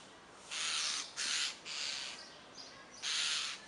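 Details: Noisy common starlings utter harsh, scratchy, drawn-out screeches in quick succession, followed by a pause and then one more rasping call.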